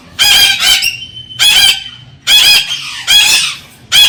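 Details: Courting Galah cockatoo calling to stimulate the female to mate, giving loud grating screeches of about half a second each, roughly one per second, with a thin steady whistle-like tone between some of them.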